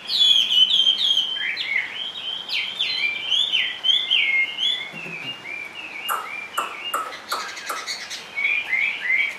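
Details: A caged hwamei clinging to its perch pours out fast, high whistled notes in quick succession, dipping and rising, later joined by sharp clicking taps and a final bright phrase.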